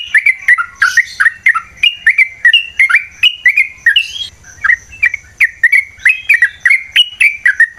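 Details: Yellow-vented bulbul (trucukan) in a long, fighting-style provoking song; loud liquid chirping notes repeated about twice a second with occasional harsher bursts.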